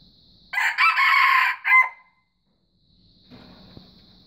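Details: Crow of a white junglefowl, a loud raspy phrase lasting just over a second with a clipped closing note. Silence follows, then a faint constant high-pitched hum and soft low rustles.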